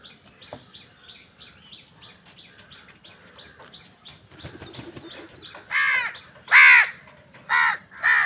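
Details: Crows squabbling over food: soft rhythmic chattering notes, then four loud, hoarse caws in the last few seconds, spaced about a second apart.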